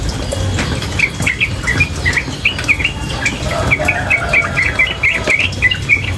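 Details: Nonstop rapid ropel chatter of a female yellow-vented bulbul beside flowing water: a dense run of short, sharp twittering notes, sometimes paired, streaming quickly with brief gaps, above a low watery hiss.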